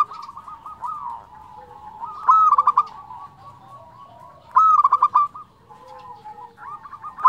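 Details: Local zebra dove in frequent song, flute-like 'nyuling' style: a high drawn-out whistle breaking into quick staccato coos, repeated about every 2.3 seconds, with softer rolling coos from other doves between phrases.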